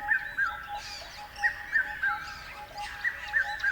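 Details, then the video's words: Birds chirping in groups of two or three short, slurred downward notes, repeated steadily, over a faint constant hum and scattered distant chirps. "Beautiful Birds Chirping Sounds."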